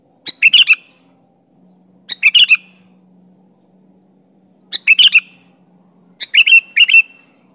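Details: Sooty-headed bulbul calling out to challenge and pressure a rival, giving four clear bursts of quick, bright chirping notes, each a tight cluster of three or four sharp syllables, spaced about two seconds apart, with a faint low hum between.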